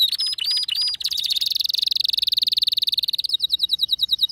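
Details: Male canary singing in an excited burst: high notes sliding down at the start, then a fast, dense rattling trill held for about two seconds, ending in a quick run of repeated clipped chirps.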